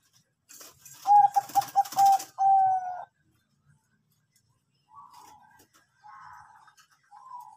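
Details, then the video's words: Zebra dove of the Bangkok type, used as a lure to prompt other birds to sing: a quick run of short clipped coos near one pitch, then a longer drawn-out note, with fainter softer coos following after a pause. "Anggungan perkutut Bangkok pancingan rajin bunyi"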